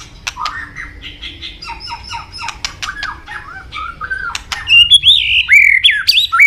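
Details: White-rumped shama, a bird highly sought by songbird enthusiasts, begins with soft, varied chips and whistles, then ends in loud, ringing whistled phrases with sharp upward and downward sweeps.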